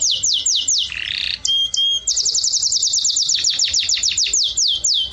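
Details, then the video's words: Canary song tied to mating, recorded in Jordan: quick series of bright down-slurred whistles, a brief buzzy burst and flat tones, then a long rapid run of evenly repeated sweeping notes, roughly four per second. "تغريد أجمل ألوان الكناري"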